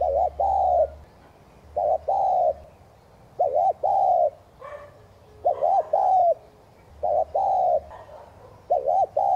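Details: Spotted dove cooing in the 'thúc gù' manner for decoy use with kept doves: a long run of rhythmic phrases, short double hoot plus drawn-out coo, about every 1.7 seconds, with a faint low hum and a slight softer note between.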